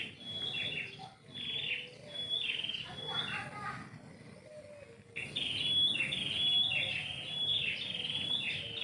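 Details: Morning song of a bird in a house-yard tree: a string of quick high chirps repeating more than once a second, fading in the middle with lower murmuring sounds, then returning louder and clearer.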